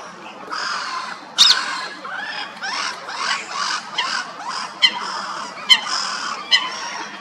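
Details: Red-crested pochards feeding on algae in the snow in a London park give harsh, nasal calls, several overlapping in a rough chorus about every half second, broken by a few sharp splashes or clicks.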